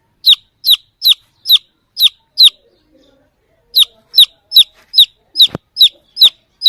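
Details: Lost chick calling for the mother hen: rapid, evenly spaced, high descending peeps, six in a row, a brief quiet gap with faint murmur, then another eight with a sharp knock among them.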